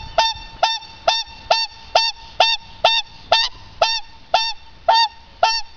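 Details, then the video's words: A whooper swan at Tierpark Berlin greets its keeper with loud, bugling, trumpet-like honks, about two each second in a steady series. "Begrüßung durch Singschwan"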